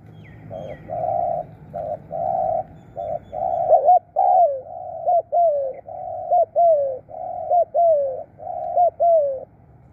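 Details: Decoy spotted dove calling in Thailand: steady, flat, low coos at first, then a run of hooked notes each followed by a drawn-out falling coo, repeated many times without pause.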